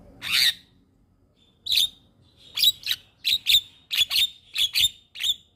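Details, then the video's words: Javan myna song intended to train young birds: a loud harsh burst, a pause, then paired scratchy chirps repeated roughly every half second. "Masteran Burung Jalak Paling Ampuh Bikin Jalak Muda gacor Full isian"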